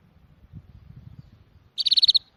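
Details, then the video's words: Bird song: a bright, rapid run of about eight sharp, high notes delivered in under half a second, following a stretch of faint low knocking noise. "Sonidos de pájaros☺أصوات العصافير"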